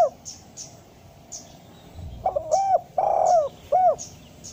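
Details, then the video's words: Spotted dove call used as a master recording to make doves call; after a quiet start, one phrase of short coos, a long rolling coo and a short closing coo, with scattered high chirps. "suara panggilan derkuku malas bunyi agar menjadi gacor"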